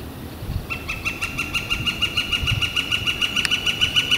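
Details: Northern flicker on a warm spring day with clear blue sky, 28 April 2014, giving a rapid, regular string of bright repeated notes, roughly three each second, over low rumbling background noise and one sharp click.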